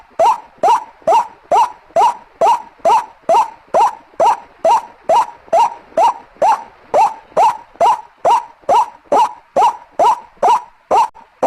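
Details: Steady, mechanical series of harsh ruak notes from a White-breasted waterhen, used as a lure; more than two dozen hooked, nasal calls follow one another at an even pace of about two per second.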